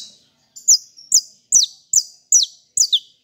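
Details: Hand-held saffron finch sings fibra: a drawn buzzy lead-in, then six loud, crisp, steeply descending whistled notes at about every 0.4 seconds, clean background.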